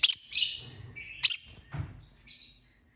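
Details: Chirping lovebird giving loud, sharp, high squeaky chirps in quick succession, with a soft low thud among them and a fading buzzy note at the end.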